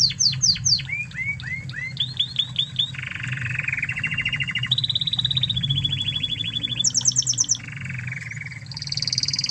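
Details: Original Spanish Timbrado canary from Spain, recorded as a training master for canaries: opens with quick descending whistled notes, then fast buzzing rolls and bell-like trills at several pitches, backed by low rumbling noise.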